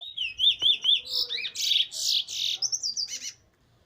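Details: A caged black chestnut-bellied seed finch (Sporophila angolensis, Trinidad "bullfinch"), recorded 15/03/2020, delivers a fast, varied warbling song of sweet slurred whistles and buzzy trills, lasting about three seconds and stopping abruptly.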